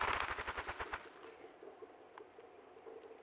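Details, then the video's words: A Ruffed Grouse drums at its drumming log, caught on a trail cam in central Alberta: deep, muffled thumps speed up into a rapid whirring roll that ends after about a second, followed by quiet. "Ruffed Grouse drumming log"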